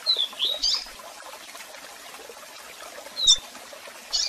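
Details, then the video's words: Double-collared seedeater, strong song with calls played for song training: a few short, high whistled and slurred notes near the start and end, with long gaps between them, over the steady rushing of a waterfall. "Cantão Forte e Diferente Com Piados e Som De Cascata"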